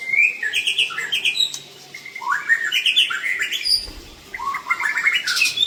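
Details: White-rumped shama of the Aceh type with a 'klewer' tail, singing a rich 'isian' repertoire: bright whistled phrases sliding between mid and high pitch, brief pauses between bursts, ending in a high sharp flourish.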